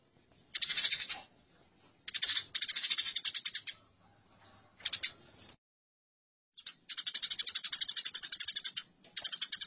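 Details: Fighting Eurasian tree sparrows give long bursts of fast, scratchy chattering notes, about four per second, with several pauses and a final extended rattle.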